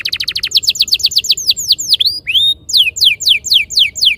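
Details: Canary song used to coax canaries into rolling ngerol singing: a rapid high trill, then slower downslurred whistles, a swooping rising note and more falling whistles.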